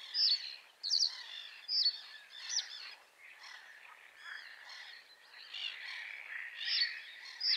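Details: Common reed bunting giving short, sharp, high chirps in quick bursts, roughly one each second at first and then sparser, over a steady buzzing background chorus outdoors.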